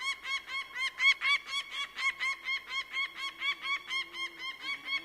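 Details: Bird of prey chattering with evenly spaced, ringing harsh notes about three per second, with a soft low hum running through the latter half.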